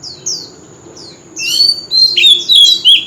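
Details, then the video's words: Old wild-caught oriental magpie-robin in loud street-corner song: a few faint falling notes, then strong, sustained whistled phrases with sharp upward and downward slurs lasting to the end. "Tiếng chim Chòe Than già rừng - Chòe than rưng hót vang cọng góc phố"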